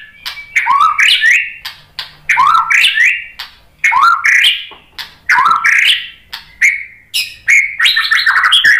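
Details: White-rumped shama, a caged songbird, sings in bursts of varied rich whistles, each phrase a rising and falling run of clear notes mixed with sharp chips, repeated about every one and a half seconds.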